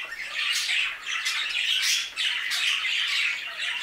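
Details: Budgerigars in an aviary chattering together: a dense, continuous wash of harsh squawks and scratchy warbles with no pauses.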